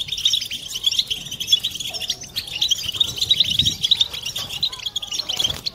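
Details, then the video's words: European goldfinches singing as a group to stimulate mating song in silent birds. Softer, continuous tinkling twitter and scattered sharp chirps, with some faint low rumbling beneath. "بتبتة حسون جماعية ضرورية لعلاج سكوت+تحفيز إنات لحسون قوى بتبتة جماعية لتحفيز حسون على تغريدة تزاوج"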